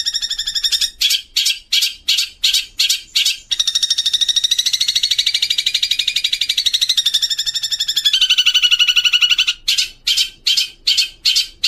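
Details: Long-tailed shrike (cendet) song used as masteran training audio with house sparrow and kuntilanak fill-ins: short harsh high chirps repeated rapidly, then a long buzzy rattling trill that drops in pitch, then more clipped chirp bursts.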